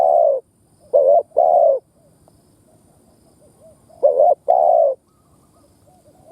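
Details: Decoy spotted dove calling in urging and cooing styles. Short wavering notes are paired with longer smooth coos, in two clusters separated by a pause filled with soft, faint coos.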